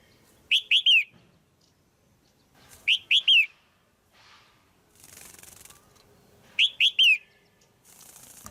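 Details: Caged female red-whiskered bulbul calling loudly to stimulate a male or for pairing: bright slurred whistled notes in quick bursts of two or three, repeated every two to three seconds, with brief soft hiss between phrases.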